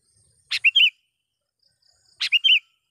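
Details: Sooty-headed bulbul calling to lure a rival: a pair of clear phrases about 1.7 seconds apart, each a sharp click, a quick chip and a liquid warbled double note.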